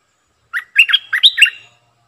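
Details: A Streak-eared bulbul kept as a decoy bird sings a quick, liquid phrase of about five chirpy, bubbling notes. The notes rise and fall, over a quiet background.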